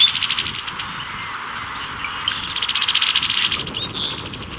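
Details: A male Brown-headed Cowbird courts a female with a display in spring 2024 in Cook County, Illinois: a rapid, bubbly chatter of gurgling notes, then thin, high, sliding whistles near the end.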